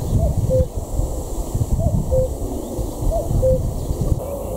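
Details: In May 2017 on the north-eastern city border of Berlin, a Common cuckoo gives its falling two-note 'cu-coo', repeated about every one and a half seconds, over heavy low wind rumble.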